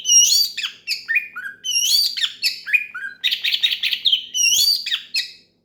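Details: Loud song of an oriental magpie-robin, a kept bird, used to call a rival and get others singing: fast runs of high whistled notes that slide down in pitch, mixed with buzzy trills, almost nonstop, over a faint low hum.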